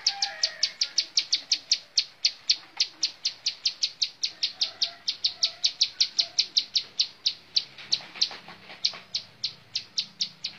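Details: Bar-winged prinia delivering a sustained montal mantul song, a rapid, regular stream of sharp, high-pitched ticks lasting over ten seconds, quiet background.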